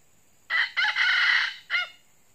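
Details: A red junglefowl, apparently an old decoy bird used to lure wild junglefowl, gives a brief, hoarse crow: a short opening note, a longer strained middle phrase, then a clipped final note that cuts off abruptly.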